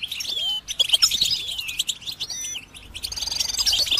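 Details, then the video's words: Goldfinch song: a rapid, tinkling twitter of high liquid trills and buzzy notes with short slurred whistles, pausing briefly midway before resuming. "goldfinch song"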